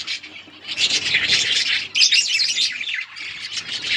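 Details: A dense, nonstop budgie chatter of buzzy warbles and squawks, loud and high, with a brief dip near the middle before resuming.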